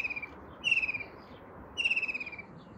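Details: White-throated kingfisher giving rapid, pulsed, slightly descending rattling trills, each about half a second long, two full bursts about a second apart after a fading end of another, with faint steady background hiss.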